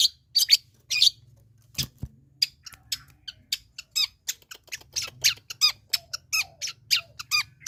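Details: Sooty-headed bulbul song made of rapid chattering and chirping notes, bright and scratchy, delivered in quick bursts over a faint low hum.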